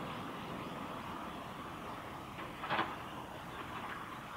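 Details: Mid-pitched ambient hiss with one short knocking rattle near the end, and no animal voice present.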